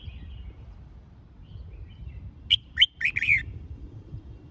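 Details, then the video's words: Red-whiskered bulbul song used to train birds for singing contests: one lively phrase of four to five sharp, clear whistled notes with downward slurs, preceded by faint distant chirping and low background hum. "Tiếng Chào Mào Dìu Bổi Lên Lửa !..Luyện Chào Mào Hót Đấu"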